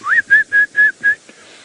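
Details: A Yellow-throated Petronia up in a tree at sunrise, 25 April 2018, in the Sabi Sand near Kruger Park, South Africa, gives a run of five clear, slightly rising whistled chirps, about four a second, all at one steady pitch.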